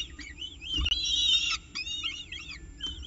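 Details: Peregrine falcon at the Orange nest with breakfast, October 2018: thin, wavering whistled calls rise and fall quickly in short bursts, with one longer strained note in the middle and a soft thump before it, low hum beneath.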